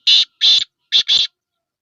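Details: Black francolin (kala teetar) of the Sindhi type, a 'speeder chakri wala' caller: four loud, harsh, buzzy notes, two separate then a quick close pair, each under a third of a second, followed by silence.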